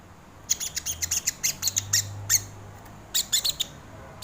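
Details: Crested jay (sogon) calls used as a lure and training recording: rapid bursts of harsh, rasping, high-pitched notes in quick series, a pause, then another short cluster, over a low steady hum.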